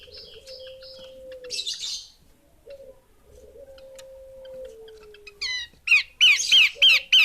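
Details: Female Horsfield's babbler: after a quiet stretch with a low, sliding drawn-out tone and a short raspy burst, a quick series of loud, sharp descending chips breaks out at the end.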